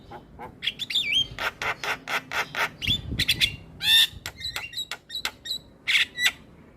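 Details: Starling song for luring other starlings and stirring silent ones: a dense, jumbled mix of harsh rasps, clicks and high twisted whistles at an irregular pace.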